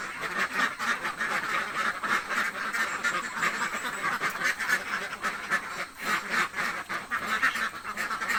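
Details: Very hungry ducks in a village, quacking nonstop: many harsh, nasal quacks overlap in quick succession, forming a dense, unbroken chorus over a steady background hiss.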